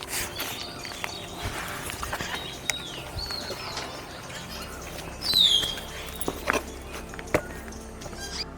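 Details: Common hill myna in forest just inside the gate at Thattekad (Salim Ali) Bird Sanctuary, Kerala, gives one loud, clear whistle sliding downward, against a hushed background with faint distant chirps.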